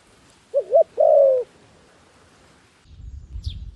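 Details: A single coo phrase from a decoy dove calling wild doves down: a wavering double note then a long even coo, followed by silence and then low rustling and a brief high chirp.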